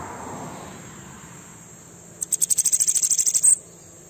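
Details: Bananaquit pouring out an aggressive song to rouse other birds: a rapid, high, stuttering series of about sixteen sharp ticks over a second and a half, over a faint high whine.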